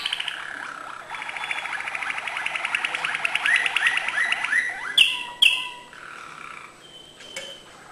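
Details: Malinois canary in song, acute notes: fast rolling trill with rising sweeps building in loudness, then two sharp high bursts and softer fading tones.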